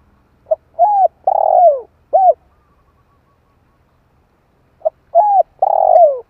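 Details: Spotted dove call for luring birds, two identical four-note coo phrases about four seconds apart, each a quick pip, a held hoot, a long tremulous downslurred coo and a short final hoot.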